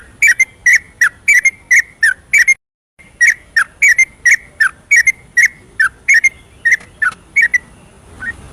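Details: Yellow-vented bulbul singing rapid ropel song at night as a lure for birds reluctant to sing: steady rhythmic whistled notes several per second, broken by a brief dead-silent gap, then resuming in the same bubbly pattern.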